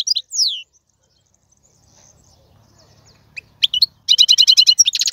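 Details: Male wild European goldfinch tutor song: opening twitters and a falling slur, a long quiet gap, then sharp chirps building into a rapid, steady buzzy trill.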